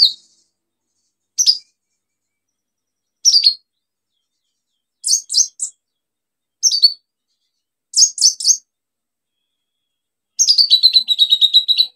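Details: Vigorously singing olive-backed sunbird, a lure recording for sunbirds gone quiet: sparse bursts of high, sharp chirps and short doubled or tripled notes separated by silences, ending in a rapid, thin, high trill of repeated notes.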